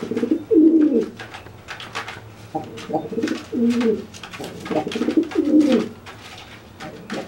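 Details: After a bath, a dry pigeon coos and makes itself look bigger to threaten a wet pigeon; repeated low bubbling coos in quick bursts amid clicks and feather noise.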